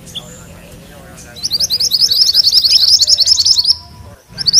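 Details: Rolling ngerol song of a mantenan kuning, compiled as tutor material for magpie-robins: after quiet, a rapid run of high, sharp chirps lasts over two seconds, then stops, and a new burst begins at the end.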